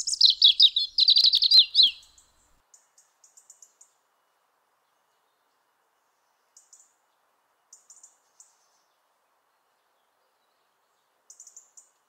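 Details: European robin at a house window in Eibar, Gipuzkoa, in December 2019, delivering one quick, high, tinkling warble of about two seconds, then only faint, thin high ticks scattered through otherwise quiet air.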